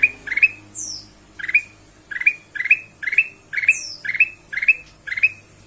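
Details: Ruby-throated bulbul used as a lure to prompt other birds to sing: a steady series of short, upward-slurred chirps, single or paired, about every half second, broken twice by a faint, high, falling whistle.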